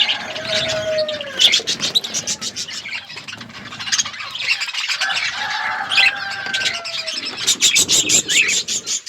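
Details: A flock of budgerigars in an outdoor aviary chattering: scratchy warbled chirps over a constant din, some drawn-out lower whistles, and rapid clicking squawks toward the end.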